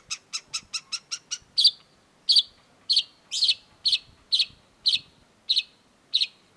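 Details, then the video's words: Long-tailed shrike, cendet: a fast even series of six thin ticking notes, then loud harsh buzzy chacks repeated about every half second, in a quiet setting. "cendet gacor PALING BANYAK DI CARI !! CENDET MU IKUT GACOR || Long-tailed Shrike"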